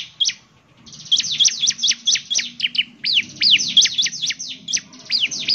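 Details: Energetic Bar-winged prinia song opening with a single note, then a long run of fast, high chirps, each sliding steeply downward, delivered at an uneven rapid pace.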